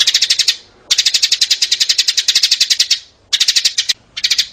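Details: Sparrow calls of adults and young, used for bird trapping: fast, regular trains of sharp, high chirps, about five per second, in long runs broken by two short gaps.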